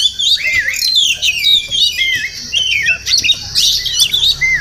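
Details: A wild Oriental magpie-robin that visits a home daily sings a continuous string of whistled slurs and rising and falling notes, ending on a clear upward whistle.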